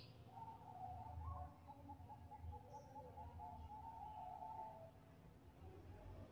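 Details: Bangkok-type zebra dove used as a lure for other doves: a long, soft, rapidly pulsed cooing trill held steady for about four and a half seconds, fairly faint over a steady low rumble.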